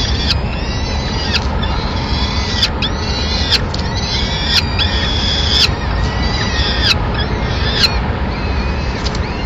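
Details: Peregrine falcons in Madrid, 25 April 2016: the male keeps watch, the female flies in with a pigeon and feeds the chicks. A long series of high whistled calls, each level then drooping, repeats roughly every second over steady low noise.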